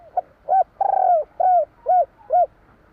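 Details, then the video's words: Close spotted dove singing the 'kuk 3' pattern: a quick introductory note, a long slurred coo falling at its end, then three separate rounded coos spaced about half a second apart. "Suara tekukur kur 3 besar / burung tekukur suara/Terkukur Kuk 3/ bunyi burung tekukur jawa kuk 3"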